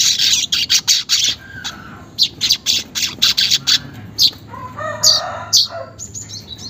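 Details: Weaver song without editing, used to coax caged weavers to chatter: a run of sharp buzzy bursts, then a few squeaky rising whistles and slurred notes.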